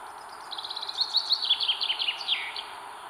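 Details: Northern Goshawk chicks at a nest in northern Estonia, 21 May 2022, beg as their mother feeds them: a quick run of thin, high chirps, about three per second, each dipping slightly in pitch, over low hiss.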